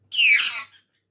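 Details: A ring-necked parrot gives one harsh, high, rasping squawk lasting about half a second, with a thin falling whistle at its start. Nothing else is heard.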